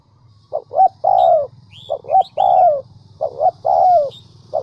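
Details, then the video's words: Decoy spotted dove from Vietnam's Central Highlands, a bird used to lure others for trapping, cooing in soft low two- and three-note phrases, the last note long and falling; small birds chirp high above and a low hum runs underneath. "Chim Cu gáy mồi đỉnh tây nguyên"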